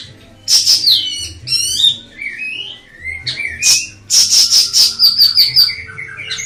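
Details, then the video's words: Ashy tailorbird song: sharp high chips and bright whistled notes, with a loud burst of five or six rapid repeated high notes near the end, over a low steady hum. "Kicauan Burung Siri Siri"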